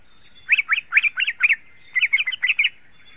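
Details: Yellow-vented bulbul in dense, sharp-voiced chattering song used as a lure for wild and kept bulbuls: two bursts of four to five quick bubbly, warbled notes separated by a brief pause.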